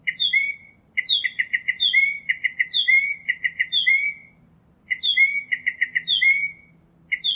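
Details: A northern mockingbird strings together varied phrases: quick stuttered chips, upslurred whistles and falling slurs, each repeated a few times before switching, pausing briefly midway.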